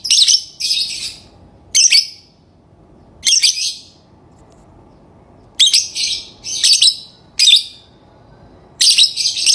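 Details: Lovebird chirping, with sharp, harsh, high-pitched bursts in short clusters separated by pauses of one to two seconds over a faint low hum.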